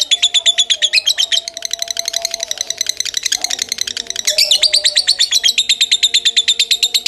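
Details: Kebon Kopi style lovebird song: rapid, high, rattling chirps, briefly softer and more scratchy mid-phrase before resuming loud and regular, with a faint low hum underneath.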